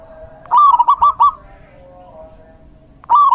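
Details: Rainy-season zebra dove song: a loud phrase of five quick, rolling coos, a pause with a soft sustained tone, then the next phrase starting.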